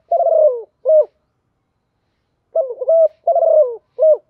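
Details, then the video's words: Tame decoy spotted dove calling to lure wild doves, in the cooing style locally called "thổ pha đồng"; low, throaty cooing phrases, a long burry coo followed by a short clipped note, heard twice around a quiet gap of about one and a half seconds. "Cu Mồi Thuần gáy Gọi, Tiếng cu gáy kích bổi giọng thổ pha đồng"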